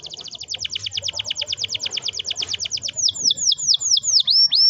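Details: Canary singing a long roll to prompt young canaries: a rapid even series of high downward sweeps for three seconds, then slower, louder hooked whistled notes; low hum in the background.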